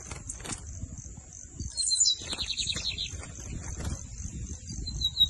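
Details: Bigodinho, the lined seedeater, in torneado song: a high whistled slur leading into a rapid series of repeated chattering notes lasting about a second. A constant high-pitched whine and low rumble run underneath.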